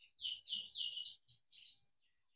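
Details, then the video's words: Domestic canary singing a series of loud swooping whistled phrases, each rising and falling, ending in a softer slur; faint low rumbling behind. "Kenari gacor cuit cuit ngerol untuk pancingan kenari biar gacor"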